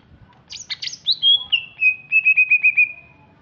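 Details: Greater green leafbird from Alas Purwo, Banyuwangi, East Java, described as larger and fierce-looking, sings a fast phrase. Buzzy high notes open it, then long whistles descend into a rapid series of about seven short, even chirps.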